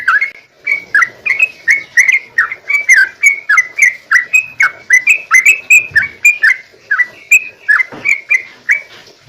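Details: Yellow-vented bulbul in sustained 'ropel' song, played to get other bulbuls answering: an unbroken chain of gurgling, slightly rising whistles repeated steadily for the whole stretch.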